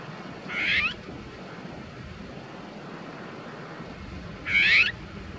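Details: An Azure-winged magpie tangled and stuck in anti-bird netting gives two harsh, raspy, upward-slurred calls about four seconds apart, over a steady low background hiss.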